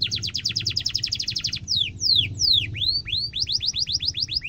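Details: Canary tutoring song: a quick, rattling high trill gives way to slow sweeping whistles, then a series of repeated rising-falling notes, over a faint low hum.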